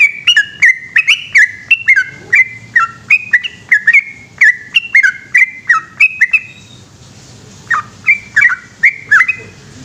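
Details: Yellow-vented bulbul singing a long 'ropel' song at night: fast runs of clear, slurred whistled notes, a short pause of about a second, then the rapid notes resume.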